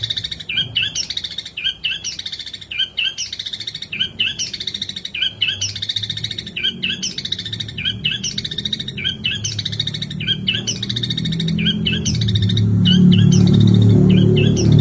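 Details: Long-tailed shrike pouring out long bursts of song, short scratchy chattering phrases repeated in a steady rhythm roughly every half second, while a low rumbling noise swells toward the end.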